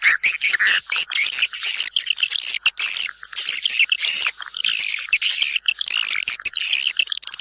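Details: Swiftlets calling others to come and nest: dense, continuous high twittering and chattering, many overlapping sharp chirps with brief gaps throughout.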